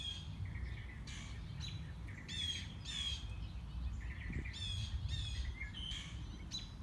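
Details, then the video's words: Unseen mockingbird on a morning walk running through its repertoire: harsh, rasping notes alternate with clearer whistles and soft chatter in uneven bursts, with strong low-pitched background noise. "Mockingbird - Morning Walk"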